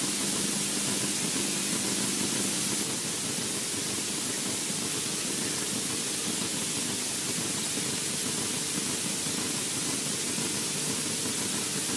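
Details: Steady broadband hiss and static throughout, with a faint low hum; no animal calls can be picked out.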